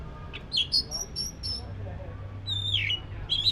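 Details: Black-breasted Oriental magpie-robin giving thin high whistles and a few squeaky notes, with one longer falling whistle near the end, over a low steady hum.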